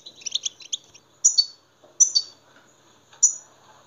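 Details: European goldfinch sounds used to get other goldfinches singing: a quick cluster of high tinkling notes, then three sharp, bright, slurred calls about one second apart.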